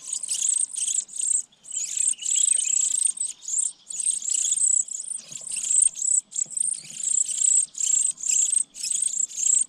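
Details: Young sparrows in a pine-top nest begging during feeding by their parents: steady stream of shrill, sizzling high chirps arriving in short bursts about twice per second, barely pausing throughout.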